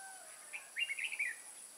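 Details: Trapping session for wild Red-whiskered bulbuls at Kim Bôi, Hòa Bình, Vietnam, on 14 May 2018: one short, lively phrase of quick rising and falling whistled notes, over a constant high-pitched insect drone.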